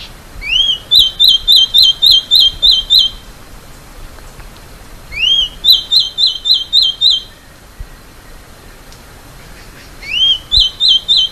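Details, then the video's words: Masked gnatcatcher sings three phrases, each a rising slurred whistle then a quick run of thin, high repeated notes, over quiet background hiss. "balança rabo de máscara e seu lindo canto"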